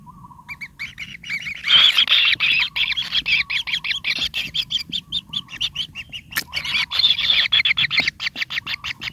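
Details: Hungry kingfisher nestlings in their nest, pin feathers just starting to grow, begging for food: loud, harsh, buzzy rasps repeated in rapid bursts, with a thin steady trill running underneath at the start.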